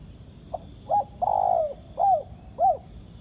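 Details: Cooing of a wild spotted dove reacting to a ground decoy during trapping: a soft introductory note, a short coo, a long falling drawn-out coo, then two rounded arched notes, repeated at a steady rhythm with low background hum.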